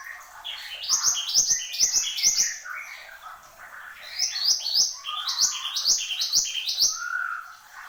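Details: Horsfield's babbler singing continuously in bursts of loud, upswept chattering notes about four per second, separated by a softer gap and ending with lower warbling whistles.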